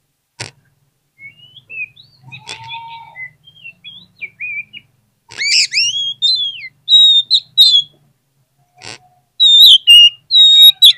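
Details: Oriental magpie-robin singing as a stimulus recording meant to make reluctant birds answer quickly: varied whistled phrases, sharp clicks and ringing slurred notes in scattered bursts, growing louder and denser toward the end, with near silence between phrases.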